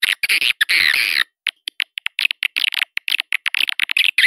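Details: Lure sound of swiftlets used to attract them: an opening of harsh, buzzy squawking twitters, then a steady run of short chirps and clicks.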